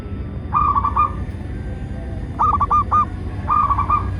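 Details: Local zebra dove song played as a lure to make captive doves sing and to draw wild ones: three phrases of quick, stuttering cooing notes, one with a sharper clicking start, over constant low background rumble.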